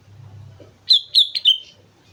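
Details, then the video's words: A sooty-headed bulbul sings on Mount Slamet: after a soft low hum, four sharp whistled notes come in a quick bubbly phrase, the final note sliding slightly downward. "suara burung kutilang gacor gunung slamet"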